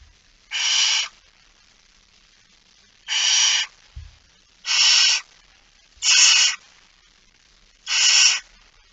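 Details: Five harsh hissing screeches, about 0.6 seconds each and spaced one to two seconds apart, from a barn owl carrying a mouse at 06:11 on 17 September 2019; one brief low thump.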